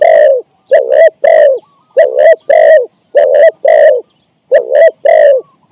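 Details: Spotted dove used as a decoy to lure and catch wild doves, giving 'ang'-style coos of four to five notes: deep, buzzy coos in paired short-long phrases, about eight notes with brief gaps, clean and close.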